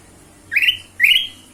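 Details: Ruby-throated bulbul voice used as a lure to get other birds singing: two bright, slurred notes that sweep upward and then hold level, about half a second apart, over a quiet, low hum.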